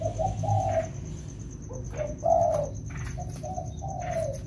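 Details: Spotted doves, two wild-caught birds trained in the rainy season, giving low hollow coos in separate short bursts with gaps between, over a faint constant high-pitched tone and low background rumble.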